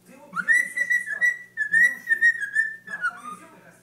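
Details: A pet cockatiel sings, whistling long, steady, slightly wavering notes in a few connected phrases.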